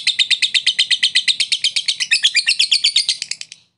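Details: Lovebird song meant to coax a silent lovebird into singing: a rapid, steady series of high, scratchy chirps, about seven a second, running without pause for nearly four seconds before stopping.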